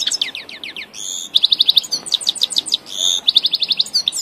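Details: Tajikistan grey-headed goldfinch song: sliding high twitters, then crisp rapid trills of even, clipped notes, a brief whistled tone, and another fast trill.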